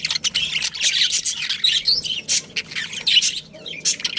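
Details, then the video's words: Budgerigars kept as a colony with a breeding pair chirp in short, thin, scratchy bursts, several birds overlapping, with brief pauses between phrases. "Cute Budgies Chirping Sounds"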